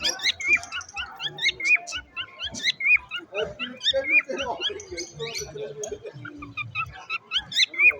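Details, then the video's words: A parrot singing with a strange sound: rapid, buzzy harmonic chirps, about four a second, mixed with sharp rising whistled notes that recur every second or so. "a parrot singing, a strange sound"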